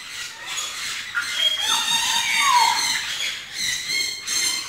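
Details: Feeding on dragon fruit, a lory lets out grating squawks mixed with thin whistled squeals that slide up and down, several in quick succession.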